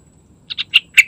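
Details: Morning song of a yellow-vented bulbul: four rapid, rich chirpy notes rising in loudness, the final note sliding into a short whistle, with nothing else heard.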